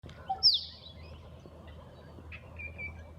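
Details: An Australian Musk duck, calling in the morning, gives a strange sharp, high whistle that drops quickly in pitch, then a fainter, drawn-out whistle about two seconds later, over a low background hum.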